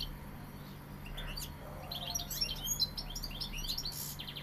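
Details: European goldfinch of the Sevillian type singing: a quiet start, then from about two seconds a run of rapid high twittering and tinkling notes with short buzzy elements, over a steady low hum.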